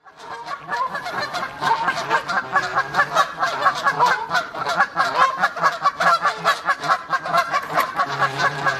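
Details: A family of geese out on a walk honks steadily, with many nasal, overlapping honks at roughly two or three per second and no pause throughout.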